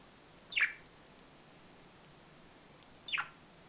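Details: Two brief downward-sweeping chirps from a budgerigar, about two and a half seconds apart, over a steady low hiss.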